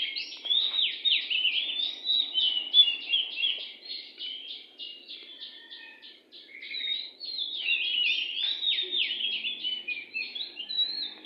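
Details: Wild oriental magpie-robin near a house singing tirelessly: fast repeated buzzy and whistled phrases, a short lull midway, then another long burst of varied warbling notes.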